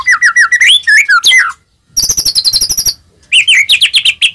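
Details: White-rumped shama (murai batu) in loud song, used as a lure to provoke other shamas into singing: quick run of slurred whistles, a dense high buzzy trill, then rising and falling chirped phrases after a short pause.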